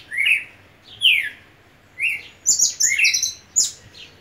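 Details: Red siskin song made of high, buzzy slurred notes, first as spaced single phrases, then a quick run of bright twittering notes. The background is quiet.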